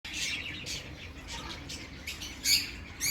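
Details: Birds chirping in short high bursts, a few bright tweets rising out of a soft steady background hiss, the loudest notes near the end.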